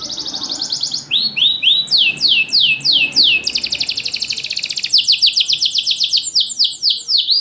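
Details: Champion canary recorded at a bird keeper's aviary, its song used as a lure for lazy singers: loud, fast, high trilled phrases, sweeping downslurred notes repeated in rapid runs, then buzzy rattles with short gaps between phrases.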